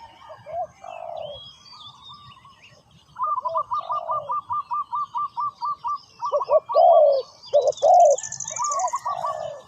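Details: Spotted dove decoy calling to lure wild doves during ground trapping: a rapid string of short clipped notes over deeper coos, then loud burry two-part coos and a high buzzing insect-like trill in the background.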